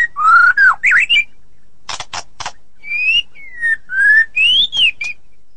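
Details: White-rumped shama in ngeplong and ngeroll singing: looping, fluid whistles, three harsh buzzy notes after a pause, then loud, clear rising and falling whistles.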